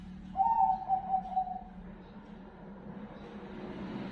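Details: Zebra dove (perkutut) of the Bangkok type singing: a short series of soft, mellow, cooing notes delivered over about a second and a half, then quiet with a low steady background hum.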